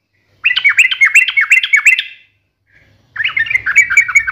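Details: A sooty-headed bulbul in full, energetic voice, sharp 'ngalas tajam tarung' style, gives a rapid rhythmic chatter of slurred notes, pauses about a second, then launches another fast burst.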